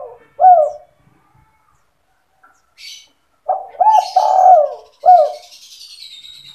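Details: Spotted dove calling as a trapping lure: a lone hooked coo, a long rolling phrase after a gap, then another short coo, with faint high bird chirps in the background.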